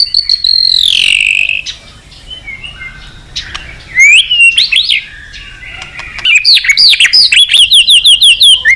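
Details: White-rumped shama song, described as rich with varied phrases and meant to stimulate other birds: a high descending whistle, a quieter pause, scattered upslurred notes, then a fast run of bright chirping repeated notes.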